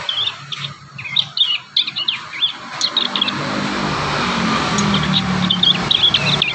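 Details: Young wild prinias practising and assembling their song: a quick string of short, high chirps and twittered notes in the first half, fading into a broad hiss of background noise with a low hum underneath.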